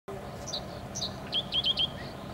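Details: A Dickcissel that is singing and hunting at Steelworkers Park, the old US Steel plant site on Lake Michigan in Chicago, gives two sharp high chips and then a quick run of three dry, stuttering notes over a low hum.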